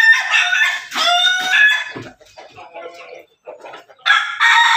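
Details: Backyard-raised Pelung, Bangkok and Ketawa crossbred chickens crowing; two loud harmonic crow bursts at the start, quieter broken clucking in the middle, and another strong crow near the end.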